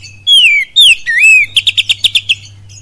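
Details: Lure song of an oriental magpie-robin imitating kapas tembak and cililin: a long falling whistle, a second downslur, a dipping swoop, then eight crisp chips delivered in quick, even rhythm over a low hum.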